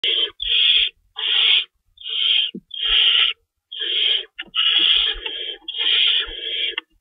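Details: Owls at a nest at feeding time, 3:53 AM on 25 March 2012, with two rabbits stored; harsh, hissing screech bursts, about half a second each, come in an uneven run, some overlapping, with faint low thumps beneath.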